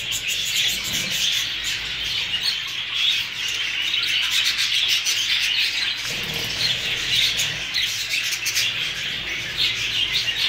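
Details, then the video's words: Many newly acquired Hogoromo budgerigars chattering over ten seconds; dense, buzzy warbling and chirping runs without pause, with faint clicking and rustling throughout. "عصافير البادجي الجديده .. البادجي الهوجورومو"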